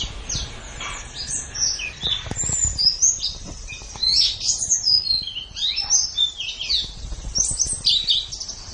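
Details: White-eye in a long master recording used for training songbirds: a lively, jumbled high twitter of slurred chirps and short whistles, rising and falling in loudness, with a faint low hum beneath.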